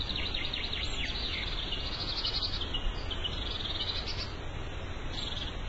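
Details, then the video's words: Birds chirping in the morning outdoors: a steady chorus of short, high, twittering notes overlapping continuously, with a constant low rumble of background noise underneath. "Birds Chirping In The Morning"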